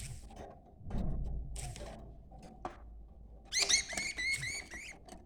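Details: Budgerigar pair, male and female, in mating-stimulation chatter: thumps and rustling at first, then a lively burst of harmonic, warbled chirps and squeaky notes over the final two seconds.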